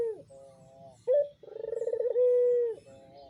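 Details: Captive adult puter pelung dove kept for breeding, cooing vigorously. Low sustained notes lead into a sharp short note, then a fast pulsing roll that ends in a long, level, gently falling coo.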